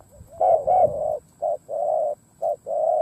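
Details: Caged decoy spotted dove cooing to lure wild doves: low, hollow coos, two strong opening notes followed by a short note and a longer drawn-out coo, repeated in a steady rhythm.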